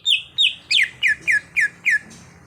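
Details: Cucak hijau (greater green leafbird), a raw bird trained to sing actively, gives seven loud whistled notes in quick succession, each sweeping downward, in a clear, quiet setting.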